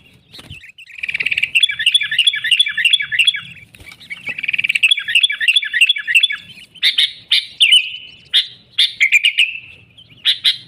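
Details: Lure recording of sooty-headed bulbul for trapping: two long fast rolling chatters of bubbling notes, then loud clipped chirps and short descending whistled phrases.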